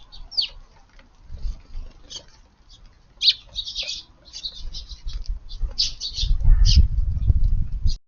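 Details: Many Eurasian tree sparrows flocking to a garden feeding spot on a June evening, feeding quietly side by side; brief sharp chirps scattered throughout, with a rumble of pecking and fluttering growing near the end.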